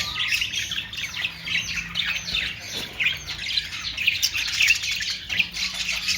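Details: Australian parrots, budgerigars, keep up a continuous busy chatter of squeaky chirps and harsh squawks, many birds overlapping in a dense, buzzy wash.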